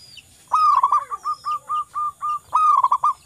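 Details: Local zebra dove song: a rapid stuttering burst of mellow coos, then six evenly spaced clear hoots, then another fast rippling burst.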